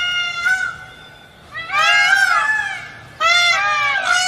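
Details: Green peafowl uttering loud, brassy, drawn-out wails, a short note followed by two longer arching honks with rich harmonics, separated by quiet pauses.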